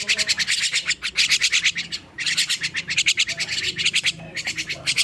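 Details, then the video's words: Young starling just woken up, giving rapid harsh chirps of about five notes per second in fast bursts, with short pauses between the runs of notes. "Kicau anakan Burung Jalak Baru Bangun Tidur"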